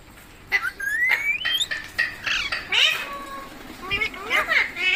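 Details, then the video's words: A green parrot gives rising whistled notes, soft nasal squeaks and a brief fan of descending chirps, over a steady low background hum. "Green Parrot Talking Natural Sounds | Mitthu Ki Awaaz | Tote Ki Awaaz"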